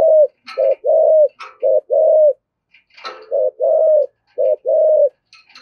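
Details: Rapid low cooing of a spotted dove in 'thổ' voice, the urging 'thúc gù' coo used to excite other doves, short and long hoots alternating, with scattered clicks and light rustling between.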